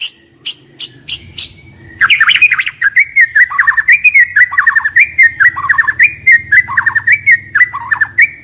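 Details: Decoy White-rumped shama gives a few high single notes, then bursts into a fast, continuous chatter of descending trilled phrases and whistles over a low background hum.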